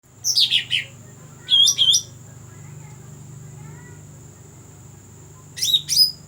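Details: Cucak rante call used for luring birds: three bursts of high, sharp chirping notes, the first around half a second, the second near 1.5 seconds, the third near 5.7 seconds, separated by quiet stretches with a steady high hiss and low hum.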